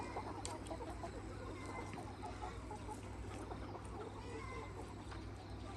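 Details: Free-range flock of Red Mía rooster and hens on a farm, soft scattered clucks and brief higher squawk-like notes rising out of steady low background rumble.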